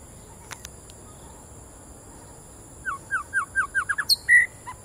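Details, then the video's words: White-rumped shama over one year old, said to be not in top form, singing a quick run of short, downward-sliding whistled notes that speeds up, then a clear held whistle and thin high notes, over a steady high hiss. "yonghui the shama"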